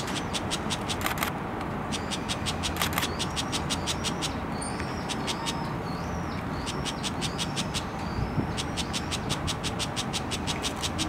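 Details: Juvenile brown shrike (identification tentative), 20 February 2016, giving rapid, dry, ticking chatters in quick bursts with a few thin whistled notes; steady traffic rumble underneath.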